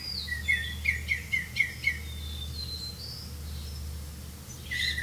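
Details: Black-bellied malkoha at a nest while caring for its young: a quick run of six short, sharp notes at mid-high pitch within about two seconds, then scattered higher notes and a drawn-out note near the end, over a steady low hum.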